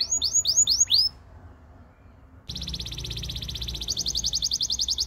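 A Belgian canary sings four quick, high, arching whistled notes, pauses briefly, then breaks into a fast, rolling trill that climbs higher near the end.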